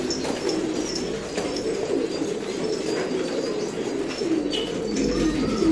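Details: Filo pigeons cooing together: a dense, continuous low murmur of overlapping coos, with soft rustling throughout.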